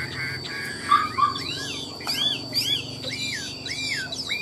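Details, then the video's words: Caged Chinese hwamei sold as a fine singer that nods while singing ornate, lilting phrases. Varied whistled notes slur up and down in quick succession, with a steady high electronic tone behind. "Họa mi đẹp hót hay, Cao cầu đuôi lá vả, Gật gù luyến láy hót như máy"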